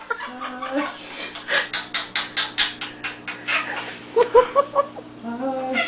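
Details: Laughing pet Quaker parrot: rhythmic, evenly spaced raspy 'ha' syllables roughly two per second, then a tight cluster of clear, ringing pulses near the end.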